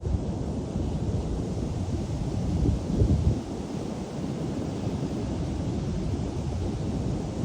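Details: Loud, continuous roar of wind and ocean surf on a San Francisco beach, buffeting the microphone, with no animal voices.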